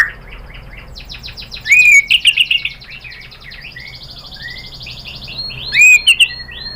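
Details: Murai batu (white-rumped shama) provoking song for rival birds: soft buzzy trills under two loud bursts of sharp rising whistles followed by quick clipped chirps.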